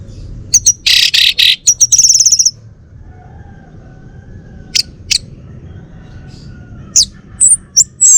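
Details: Male orange-headed thrush of the Bali form, a kept bird from North Bali, Singaraja, Indonesia, singing loud high bursts of harsh, buzzy notes, then a quiet pause before a few sharp chirps and whistled phrases.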